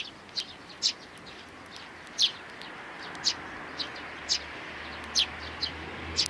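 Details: Three sparrow nestlings recorded on 12 May 2019. High, sharp chirps sweep downward and repeat irregularly, about one per second, over a steady low background hum.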